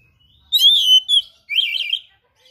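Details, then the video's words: Singing oriental magpie-robin full of rare fill-in phrases: a bright sustained whistle with a quick added note, a brief pause, then a warbling, slightly buzzy phrase fading out. "KACER GACOR SPECIAL FULL ISIAN MATERI LANGKA"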